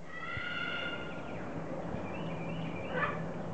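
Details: Pet parrot chattering and imitating the phrase about wanting a cracker, with a macaw in the background also saying it; a few tonal stacked whistled syllables over a low steady hum, a brief louder squawk near the end.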